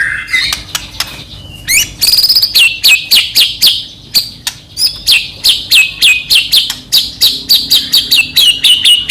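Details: White-rumped shama singing to provoke another shama: sharp downslurred high notes repeated about every half second, after opening whistles and buzzy phrases.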